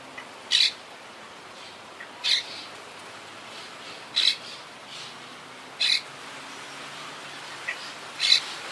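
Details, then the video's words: Monk parakeet from a wild colony high in trees, rebuilt after hurricane Irma in 2017; single loud grating squawks spaced about one and a half to two seconds apart, six in all, with quiet between. "Yacht Club Colony Retrospective🌴 Clips and Sounds 🦜"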